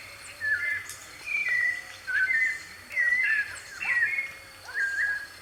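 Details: Free white-necked thrush recorded live in the wild: about six clear whistled phrases, rising and falling slurs roughly once a second, with faint higher chirps of other birds and a constant insect hum.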